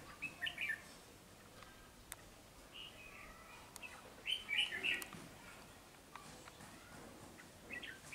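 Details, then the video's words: Red-whiskered bulbul, a wild-caught bird noted for frequent, rapid singing, giving scattered short whistled phrases separated by gaps, with sharp clicks and a light noise bed. "Chào mào bổi siêng cầu tốc độ mỏ tốt"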